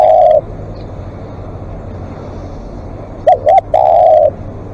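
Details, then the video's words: Live decoy spotted dove in long calling; a drawn-out croo ends one phrase, then after a quiet gap two quick coos lead into another sustained note over a low background hum. "เสียงนกเขาใหญ่ ต่อสดเรียกยาวๆ"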